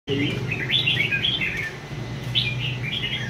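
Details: Red-whiskered bulbul from A Lưới, Vietnam, kept caged and shown on a display stand, singing bright whistled phrases that rise and fall, delivered in two short bursts over a steady low hum.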